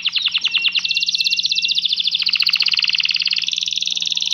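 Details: A canary sings during mating, with the male pressing the female to mate: a fast, continuous string of bright rattling trills, shifting between high buzzy phrases without a pause.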